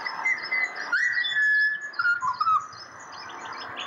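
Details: Pied butcherbird from Australia serenading on request: mellow piping whistles, a held high note dropping to a lower one, then two short fluted phrases, with faint high twittering of other birds behind.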